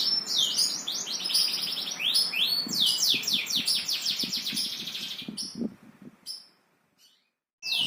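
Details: Singing bird, kept as a songbird: a dense run of rapid chirps and descending high whistled notes repeated about every half second for five seconds, then fading to near silence with a few isolated chirps.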